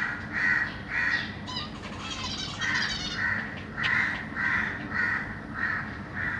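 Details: Zebra finch babies being fed by their parents in a big cage, 25 June 2023; nasal calls repeated roughly every 0.7 seconds, steady and insistent, with a short scratchy flurry partway through and a low hum behind.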